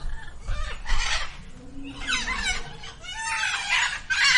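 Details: Female Indian peafowl crying at Villa Dolores Zoo; loud, harsh, noisy bursts roughly every second, with a few honking notes and broadband rustle between them.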